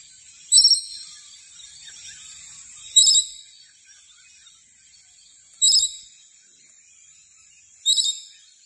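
Scaly-breasted lorikeet giving four harsh, high, screechy bursts, each about half a second long and spaced two to three seconds apart.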